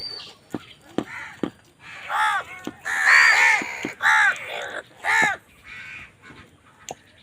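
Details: Crows fighting for food make a dense flurry of overlapping harsh caws, some clipped and some drawn out, with sharp clicks and taps mixed in before the calling fades.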